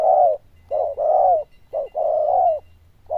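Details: Loud, bell-toned cooing from a zebra dove: pairs of a brief clipped note and a longer rich coo, repeated steadily about once a second, with a faint low hum underneath.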